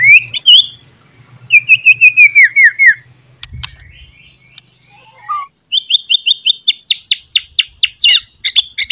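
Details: Shama song played in the morning to lift singing and fighting spirit: strong whistled phrases, a run of falling slurred notes, then rapid repeated high chips and harsh notes, with a faint low hum beneath.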